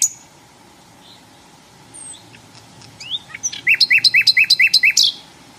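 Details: Flycatcher singing in the wild: after a quiet start with a few scattered high notes, a quick run of about seven repeated, rising whistled notes with bright high overtones, over a faint steady hum.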